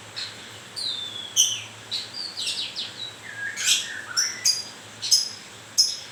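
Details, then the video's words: White-rumped shama in moult singing descending whistles and warbles, followed by repeated sharp high ticks about every half second. "Kicau mania.. murai baru rontok bulu..."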